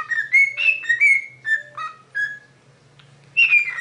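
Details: A pet parrot whistles the Super Mario Bros. theme: clear, pure whistled notes hopping up and down in a bouncy tune, in short phrases with a brief pause before a final high falling note, over a faint low hum.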